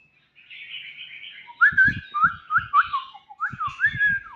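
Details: Young white-rumped shama giving soft high warbling that builds into a series of loud slurred whistles, each dropping then rising, delivered several per second.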